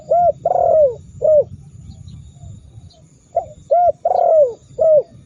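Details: Two coo phrases from a spotted dove meant to set rivals calling, separated by a two-second pause; each has a rounded hoot, a long sliding coo and a final short note, with low rumbling noise beneath.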